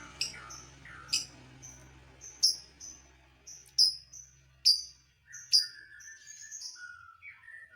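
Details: Lovebird song meant to provoke other lovebirds: sharp high chirps and short thin whistles at irregular intervals, ending with falling squeaky notes, over a low steady hum.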